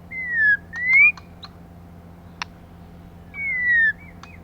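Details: Female white-rumped shama, used as a lure to stimulate males, gives long clear whistles: a falling note, a rising note, then a slurred falling whistle after a pause, with one sharp click between them.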